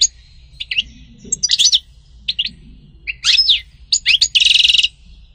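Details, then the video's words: European goldfinch song of quick high twitters and sliding chirps in scattered groups, ending in a dense buzzy trilled burst. "غناء عصفور الحسون سطيلة ام قنين"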